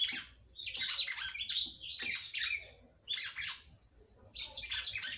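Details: Female red-cowled cardinal singing a lot to excite the male. A long, loud, scratchy warble is followed by two shorter bursts of harsh chirps after pauses.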